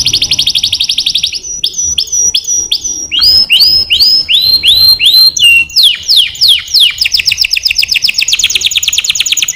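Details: Canary singing at length: a fast buzzy high trill opens, followed by clear descending whistled syllables repeated about once per half second, then another rapid rolling trill of tightly packed notes.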